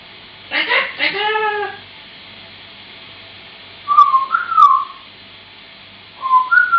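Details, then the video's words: Pet African Grey Parrot indoors, mimicking human words and singing: two harmonic speech-like syllables, then short wavering whistled phrases rising and falling, separated by pauses. "African Grey Parrot Singing"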